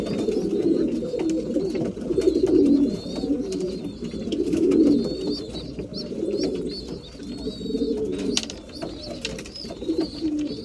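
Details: At mealtime, breeding pigeons give rolling low coos that rise and fade in waves, while soft, high squeaky notes recur steadily above and light clatter sounds in the background.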